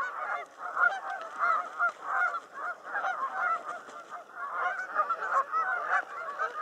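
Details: During the mating period at Cayuga Lake, Canada geese honk loudly and continuously, many nasal calls overlapping in a busy chorus with no pauses.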